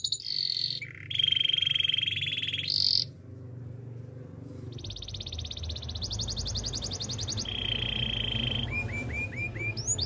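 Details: Canary singing as training material: steady whistled trills broken by a gap, later buzzy rattles and a few falling chirps, with a constant low rumbling background.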